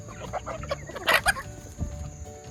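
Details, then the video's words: Feeding-time chatter from a yard flock of F2 junglefowl hybrids with game hens: a quick run of soft clucks, then a louder harsh squawking burst, over a constant high whine. "Yard birds at feeding time. F2 junglefowl hybrids and game chickens"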